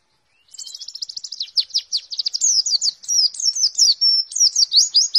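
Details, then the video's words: Warbling white-eye in a nembak-style tutor recording made to train captive birds, meant to be played in the morning during dewfall; a rapid, continuous, high, sweet warble of quick twittering notes that builds after half a second and then runs without pause. "Masteran Pleci Nembak"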